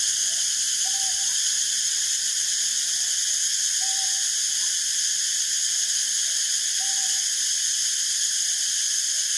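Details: Northern boobook, Ninox japonica totogo, foraging and preening; quiet low double hoots, short then longer, come every three seconds or so, while an unbroken high buzzing chorus fills the background.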